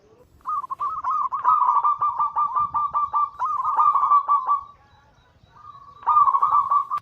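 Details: Zebra dove (perkutut) of local Bangkok crossbred stock in a long anggungan phrase: a rapid, evenly pulsed trill of coo notes lasting about four seconds, a short pause, then another bubbling burst.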